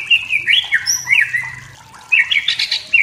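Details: A wild white-rumped shama from the forest sings to stir up rivals, delivering quick rich whistles and slurred notes in two bursts around a brief quieter gap, the last burst rising into higher chattering notes.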